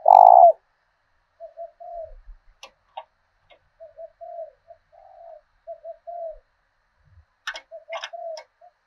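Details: Decoy spotted dove with a 'thổ đồng' voice from southern Vietnam, kept to draw wild doves to fight. One loud hoarse coo opens the clip, then a string of soft low cooing notes follows, mixed with clicking and tapping sounds.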